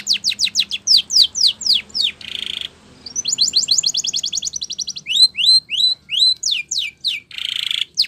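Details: Training song of a Spanish Timbrado canary. It starts with quick downward-swept whistles and a brief buzzy burst, then a rapid high trill and a series of rising slurred notes. Fast descending strokes and another buzzy rattle close it.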